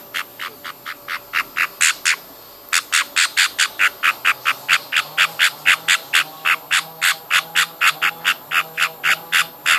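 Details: Baby budgerigars being hand-fed, giving rapid harsh rasping begging calls repeated about twice a second in a steady train, with one short pause, over a low steady hum.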